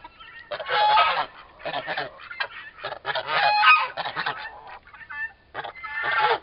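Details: Two turkey toms about four months old fighting. Loud hoarse squawks in bursts, around twenty-three a minute and unevenly spaced, with brief quieter pauses between outbursts.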